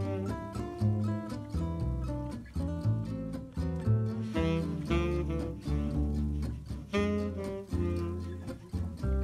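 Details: Plucked acoustic guitar and bass music plays throughout, with no animal sounds.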